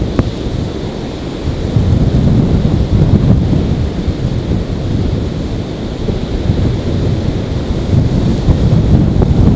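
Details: Steady heavy rain with deep rumbling thunder and wind buffeting the microphone; no animal calls can be picked out.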